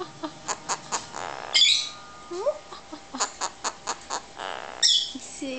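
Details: A pet Hahn's macaw doing its evil laugh: a run of short, evenly spaced, harsh pulsing notes like chuckling, broken by two louder, screechy bursts, with a low hum in the room.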